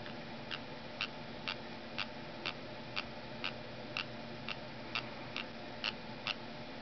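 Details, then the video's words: Female pet parrotlet indoors mimicking a scrolling mouse wheel, her first identifiable learned sound, with a wing flutter on each one: dry, sharp ticks about twice a second, steady and even, over a faint indoor hum. "Parrotlet: Yoda Mimics Scrolling Mouse Sound"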